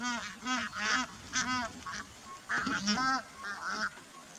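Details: Migrating Bar-headed Geese at Kaziranga National Park, northeast India, give nasal, honking calls in overlapping bursts, several birds calling together with uneven spacing over a quiet background.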